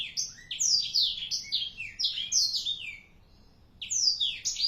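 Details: Captive black-throated canary aged four months singing a rapid, varied warble of swooping high chirps and buzzy trills for about three seconds, a short pause, then starting again.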